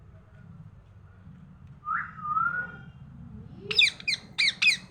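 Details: In the morning a talking parrot gives a smooth falling whistle, followed by a quick run of four sharp clicking chirps, with a steady low hum behind.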